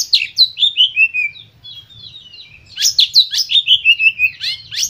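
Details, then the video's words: White-rumped shama song played to get other shamas singing: loud rapid sequences of sharp downward-sweeping notes and whistles, a brief quieter whistled pause, then another fast energetic phrase. "Pancingan Kacer Full Emosi"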